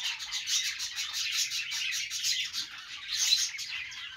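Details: Budgerigars singing on a perch: a dense, continuous chattering warble of rapid squeaks and chirps, with brief louder bursts, carrying steadily from start to end.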